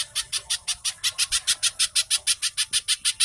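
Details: Little spiderhunter (cici codot) in fast training song used as a lure for captive birds: loud, shrill, buzzy notes in quick succession, slightly faster than three per second.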